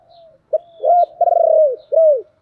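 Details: Spotted dove of the thổ voice style calling: a soft low lead-in, a sharp short note, a swelling coo, then a long throbbing rolled coo and a final arched falling note, close and clear.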